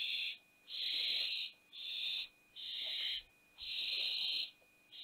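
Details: Young barn owls at a Théding nest box on 20 September 2021, the day the youngest chick fell out; loud breathy hissing screeches about a second long come in a steady run of five, with brief pauses between them.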